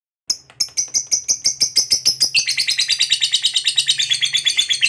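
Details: Fighter lovebird starting its long 'ngekek' trill, used as a lure for other lovebirds. Separate sharp chirps speed up and merge into a dense, rasping, high-pitched chatter, with a faint low hum underneath.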